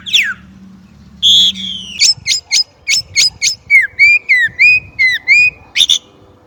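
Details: Clear whistled notes from a Chinese blackbird: a falling slur, then a steady series of short sharp high notes and lower upturned whistles, about three per second. Quiet low hum in the background.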